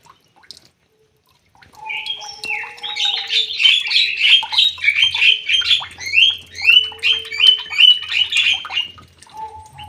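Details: White-rumped shama settled into a new aviary after release, singing a loud, fast run of rich, repeated warbled notes, roughly three per second, rising and falling for about seven seconds after a short quiet start.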